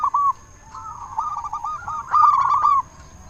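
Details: Loud local zebra dove song, used to stir silent doves into singing. A short coo opens, then a rippling trilled phrase builds into a louder, buzzier rolling burst before stopping abruptly.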